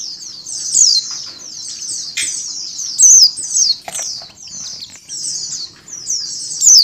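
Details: A female mountain white-eye calling within a flock-chatter mix meant to stimulate birds to call; high chips and short bursts over a dense, rapid twitter, with a few faint clicks and knocks.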